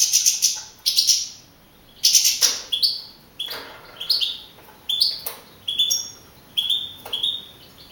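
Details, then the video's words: Young male European goldfinch, first-place caged contest singer at Navalcarnero, Madrid, April 2012. Short high whistled phrases with sharp clicky onsets repeat about every second, with a faint hiss behind them. "JILGUERO CAMPERO CAMPEON 2012"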